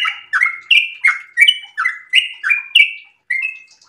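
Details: Sooty-headed bulbul in breeding condition singing ropel style, a run of eight or nine rich, bubbling slurred notes, some rising and some dropping, then a brief pause before a final softer phrase.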